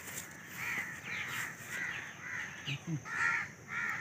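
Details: Babbler calling during a net-trapping hunt: harsh, raspy notes repeated roughly twice a second over a low murmur, with a couple of short, louder notes near the end.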